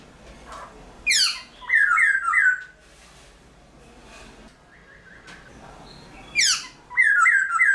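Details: Black-throated Laughingthrush kept as a cage bird, singing at dawn to stimulate wild-caught birds: loud squawky descending notes followed by short bright trills, a long quiet gap, then the same squawk-and-trill pattern again.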